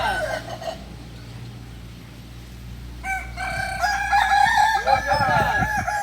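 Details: Kukuak Balenggek roosters at a practice crowing contest in Solok, West Sumatra, where the breed originates; a brief crow opens, then after a pause several crows overlap in a long, layered, undulating sequence of stepped notes.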